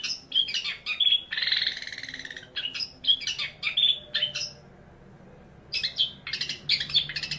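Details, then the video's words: Caged long-tailed shrike, a young male aged eight months, delivering rich mimicking song used to train other birds; bright piping whistles and harsh grating bursts alternate, then a short silence before further chattering phrases. "burung cendet gacor full isian umur 8 bulan"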